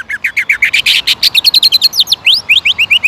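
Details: Fast, energetic greater green leafbird song meant to rouse rival birds to sing aggressively, a quick string of sharp chirps and upward-slurred whistles, about six notes per second, climbing then settling into repeated rising sweeps.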